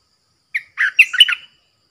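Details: Bulbul kept as a caged decoy for luring wild birds, 13 April 2021; a single short phrase of one clipped note, then a tumbling run of throaty, bubbling whistles lasting under a second, otherwise quiet.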